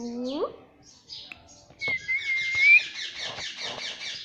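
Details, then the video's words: Pet talking parrot at home: a rising, nasal, voice-like note, then a long thin level whistle that climbs at its end, over soft chatter. "Mummy Papa Bolne Wala Tota || Talking Parrot"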